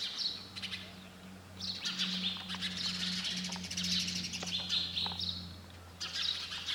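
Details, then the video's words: Sparrow chatter of dense, high twittering chirps that run together in long bursts, over a noticeable steady low mechanical hum. "Sound of sparrow bird"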